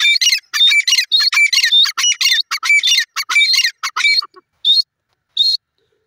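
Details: Grey francolin, known as teetar, giving a rapid run of shrill, grating notes about every half second. The series breaks off and is followed by two isolated, thinner calls before silence.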